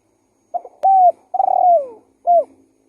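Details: Lure call of a lively spotted dove: one full phrase, a soft double stutter, a firm even coo, a long throbbing coo that drops away, and a short bright coo to finish, with a faint click near the start.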